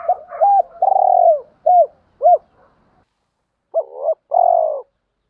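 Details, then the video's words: Spotted dove cooing, male and female birds, used to stimulate training birds to coo; loud clipped coos followed by a longer falling note, two short hooted notes, a pause, then a paired coo and a long falling coo. "tiếng chim cu gáy luyện bổi và mồi gáy theo hiệu quả ra đủ bài"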